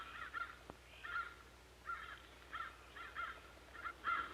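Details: Crows responding to the alarm as they see an enemy hawk; harsh caws repeated roughly every two-thirds of a second in a steady series, with a faint click early on.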